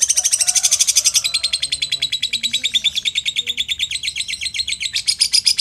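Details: Lovebird, a strong bird that has competed in several contests, singing a long ekek-style chatter: a fast, unbroken series of high, buzzy pulses at about eight per second, steady and loud throughout, pitch shifting slightly lower midway and rising again near the end.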